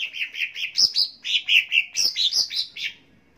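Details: Cucak ijo (green leafbird) in a dense stream of loud, clear whistles jumping between high and lower notes, roughly five notes per second for three seconds. Part of a recording made to train birds to sing.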